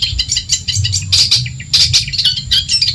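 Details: Long-tailed shrike of Madura origin, a tutor recording for other songbirds: jumbled high chirps and squeaky whistled notes in quick bursts, accompanied by a low hum.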